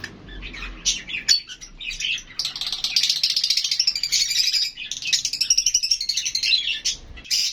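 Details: Lovebirds communicating: a few short squeaks open into a long, busy stretch of shrill overlapping chatter, pulsing rapidly, with a brief pause midway.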